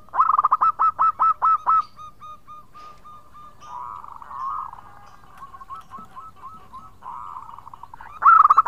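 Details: Local zebra dove singing in the khong style to call its companions: a crisp opening run of about eight loud bouncing coos, softer rolling notes in the middle, and a loud final burst.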